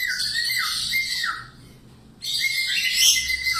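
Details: Budgerigar singing, recorded as a tutor for cockatiels: harsh, grating warble with dropping whistled notes, a quiet gap, then renewed raspy chatter with a thin high whistle.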